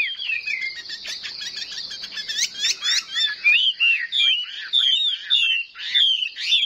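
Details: Chinese hwamei (Garrulax canorus), song: competitive singing.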